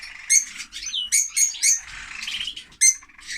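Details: A noisy male lovebird, whose female died after laying eggs in winter, chatters in loud, harsh squeaks and shrill chirps, several bursts a second with brief pauses, all high-pitched.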